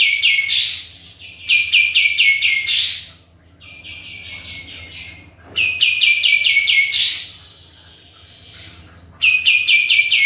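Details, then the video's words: Sooty-headed bulbul singing vigorously, used as a lure to draw replies: loud bursts of rapid, stuttering repeated notes ending in a rising sweep, with pauses and a softer, steady whistle between the bursts. "PANCINGAN KAPAS TEMBAK GACOR"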